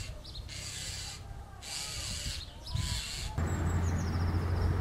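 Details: A Common starling (Sturnus vulgaris) feeding its chicks, unbothered by nearby people: three harsh, hissing rasps about a second each, then a thin, high wavering whistle, over a steady low rumble of wind or handling noise.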